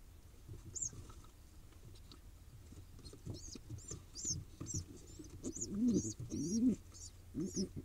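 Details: Wild pigeon nestling being fed in Israel, begging with quickening high-pitched peeps that grow denser toward the end, joined by two short low throaty warbles near the close.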